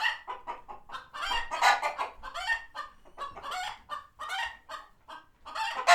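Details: A flock of chickens at a farm sanctuary reacts to a hawk spotted nearby, a steady run of loud, raspy clucks overlapping in quick succession with little pause between them.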